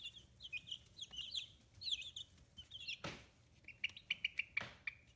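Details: Young chicks fifteen days after hatching, raised free-range in Kitahiroshima, Japan; busy high-pitched peeps, then two loud rustling scrapes, followed by a run of evenly spaced short chirps.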